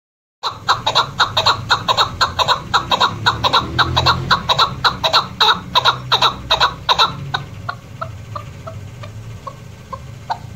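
A female chukar partridge gives harsh, clucking chuck notes about twice a second in a steady run, then trails off into softer, sparser clucks over a low rumble.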